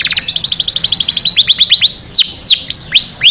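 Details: Canary song meant to spur males to sing and breed and to tutor chicks: a rapid run of short high notes, about three per second, giving way to sweeping downward-curving whistles.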